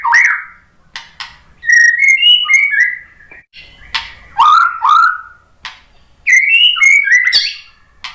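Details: White-rumped shama singing as a lure: loud fluty whistles rising and falling in short groups, sharp click notes between them, pauses of about a second between phrases.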